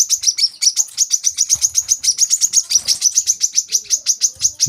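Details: Olive-backed sunbird, recorded to train young caged birds, giving one continuous, rapid trill of piercing high chips, evenly paced and slightly wavering in pitch, with faint clicks below.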